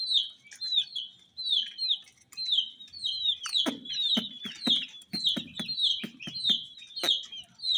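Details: Brightly dyed chicks cheeping in rhythmic high, falling peeps, joined halfway through by repeated tapping knocks.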